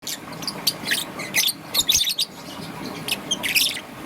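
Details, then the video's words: Young green and yellow peach-faced lovebird in the morning, giving scattered high, thin chirps and squeaks in loose bursts over a steady background hiss. "Lovebird's melodious chirping sound - Young Peach Face Lovebird - Green and Yellow"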